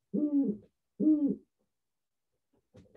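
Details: Captive great horned owl at a school wildlife assembly, calling often as it is brought out to meet the audience and described as very chatty. Two low, hollow hoots come about a second apart in a quiet room, followed by a brief rustle.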